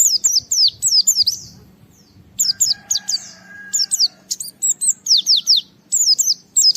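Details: Japanese white-eye (pleci) singing gacor to challenge rivals and provoke other white-eyes; quick high twittering downslurs in clustered bursts, with a faint steady tone underneath mid-clip.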